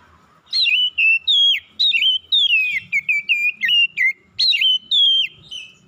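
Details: Morning song from an Oriental magpie-robin: after a short quiet start, a lively sequence of clear slurred whistles follows, notes bending down then up in rapid varied phrases.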